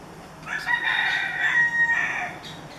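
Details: Free-roaming feral rooster in forest behind a second-floor unit on Kauai, Hawaii, where roosters crow day and night: one drawn-out crow of nearly two seconds, harsh and strained, swelling then trailing off, against faint background hiss.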